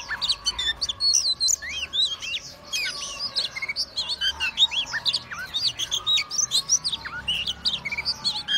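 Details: Male-style display by a white-rumped shama, tail spread and body swaying, with a long, fast, continuous medley of sharp whistles, upslurred notes and chirps, barely pausing.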